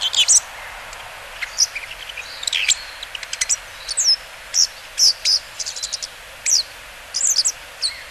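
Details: Bull-headed shrike calling on the Mukogawa riverbed, 14 September 2015: sharp, high, harsh chattering notes in short irregular bursts, with softer chirps and a faint background hiss.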